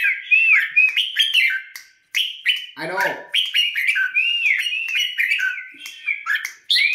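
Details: Caged Red-whiskered bulbul readied for a singing tournament, pouring out quick, arched whistles and chattery notes with a short gap midway, a brief human voice cutting in for a moment.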